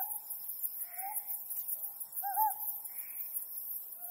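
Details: Short mellow hoots of a Ryukyu scops owl on a harvest-moon night, one clearer double-inflected note standing out, with a continuous high insect buzz behind.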